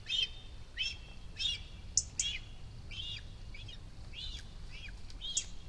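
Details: Fledged cinereous vulture chick on its nest at Rascafría, Sierra de Guadarrama National Park, giving its food-begging display as the adult female descends: a run of shrill chirps, uneven in spacing and loudness, some briefly overlapping, over quiet low noise.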